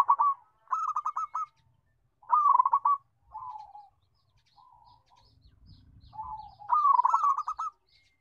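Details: Loud, melodious local zebra dove repeating its stuttering trilled coo phrases, each trailed by softer short coos, with brief silences between phrases.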